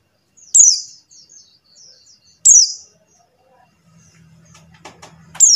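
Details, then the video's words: Buxtoni white-eye call used to draw silent white-eyes into song: three high downslurred chirps with buzzy tails, soft twittering between, and a low hum and clicking near the end. "suara CALL PLECI BUXTONI | untuk pancingan PLECI MACET BUNYI"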